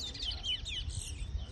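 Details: Towa towa singing during a bird-singing race in Berbice, its songs counted aloud by people; a quick run of bright warbled and slurred whistles, rising and falling, brief and lively, over low background rumble and voices.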